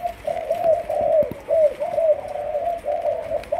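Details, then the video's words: A young Malaysian spotted dove in training as a decoy gives soft, hollow cooing notes in a steady low string, several slurred coos with brief gaps, in a quiet enclosed space. "Cu Malaysia. Chim tơ nổi, tập lên mồi"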